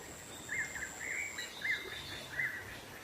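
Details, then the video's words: Black-naped monarch in its wild habitat, lure recording: three or four quick chirped notes, loud and clear, with a thin high insect tone fading out midway. "Suara pikat burung keci dialam liar"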